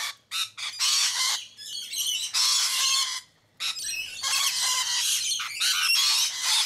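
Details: Rainbow lorikeets feeding on sunflower seeds in Sydney give harsh, grating screeches in overlapping bursts, several birds chattering almost continuously with brief pauses.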